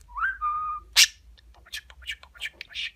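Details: Talking budgerigar kept as a pet, mimicking speech with frequent kisses: a clear whistled note rises then holds steady, a loud sharp smack follows, then soft raspy chattering syllables.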